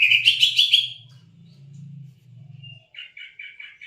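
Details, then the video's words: Cucak ijo, a lure recording for a silent bird: a loud, rich, fast warble opens, then a low buzzing hum continues alone, and a series of quick high chirped notes follows near the end. "pancingan suara cak ijo"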